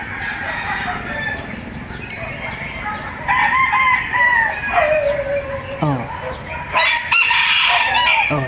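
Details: Roosters crowing one after another in the morning around a home with many birds: overlapping crows, one long and strong, falling gradually in pitch over two seconds, then short sharp sweeping noises and further distant crowing.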